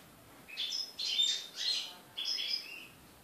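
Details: European goldfinches on 3 July 2013: young birds just out of the nest being fed by an adult, giving a few soft, slurred high twittering calls in short bursts against steady background hiss.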